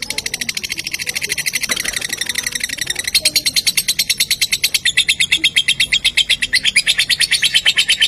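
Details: Lovebird pancingan, played so other lovebirds start singing: continuous high, scratchy chatter at roughly three notes per second, growing louder and more even in the second half.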